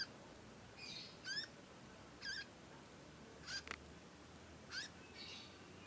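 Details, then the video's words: Juvenile conin practising its song with long nyecet calls. Short harmonic chirps arrive roughly once a second, each a quick rising-falling slur, separated by pauses and faint background hiss. "ANAKAN CONIN, NYECET PANJANG BELAJAR BUNYI & GACOR"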